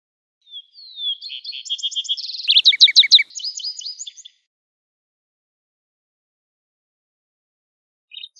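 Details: Lark sparrow in natural surroundings sings a rising sequence of thin whistles, buzzy trills and a loud rapid stutter of high notes lasting about three and a half seconds, followed by silence and a brief restart.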